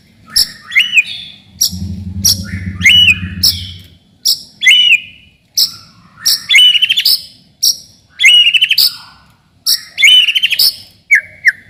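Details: White-rumped shama song used to test young birds and provoke rivals: short loud phrases of sharp high notes with a curved whistle, repeated every second or two, with brief low hum.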